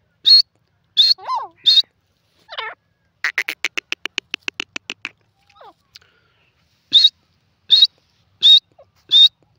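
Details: Francolin (teetar) with sharp high notes at the start and end, broken by lower wavering squawks and a fast rattling run of clicks at steady intervals, in a quiet setting.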